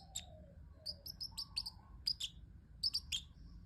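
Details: A pet parrotlet chirping cutely, quick high tweets in rapid groups of two or three, with soft low sliding notes between them.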